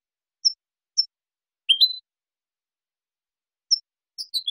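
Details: Clean goldfinch song meant to educate young birds: sparse high chips, a bright rising two-step whistle, then a pause before more chips and a short jumbled twitter.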